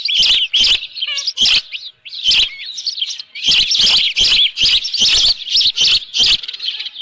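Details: Ranch-nest Osprey in the early morning of 24 June 2018 with a live fish: repeated piercing whistled chirps in quick runs, interspersed with hard broadband taps and a short lull near two seconds.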